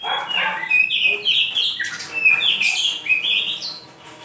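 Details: Oriental magpie-robin morning song: a continuous, rich medley of loud whistled phrases, rising and falling slurs and harsher notes, delivered without pause for about four seconds before easing off.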